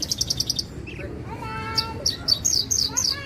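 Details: Javan bushlark, Parva form, opening with a fast, even trill of very high notes, then a faint sustained tone and a string of sharp descending high chirps repeated roughly every quarter second.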